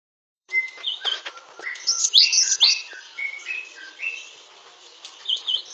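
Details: Great tit song: a varied, high twittering run of sharp chirps, short whistles and quick slurred notes, loudest in the middle and fading toward the end.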